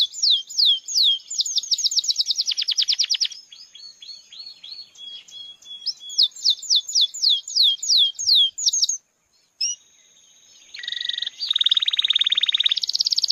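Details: Caged Belgian canary of the red feos mutation singing: rapid rolling trills of sweeping whistled notes, a pause, then a buzzy, rattling rolled tour and more quick, bright repeated phrases.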